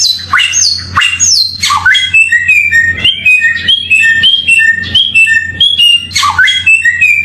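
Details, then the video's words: Samyong bird song used as a tutor recording for training other songbirds: loud falling and rising whistled slurs, then a fast run of short paired chirps alternating high and low, closing with another steep whistled sweep; a faint low hum underneath. "Mastran burung samyong"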